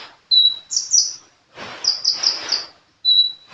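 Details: Sunbird (kolibri) singing actively: a thin, level high whistle, then bursts of sharp, very high chirps after a pause, ending with another steady pure whistle.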